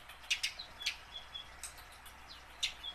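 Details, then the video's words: Tame house sparrow learning song to prompt wild-caught sparrows; a few soft, scattered chirps and short faint whistles over quiet background hiss. "burung gereja jinak belajar bunyi"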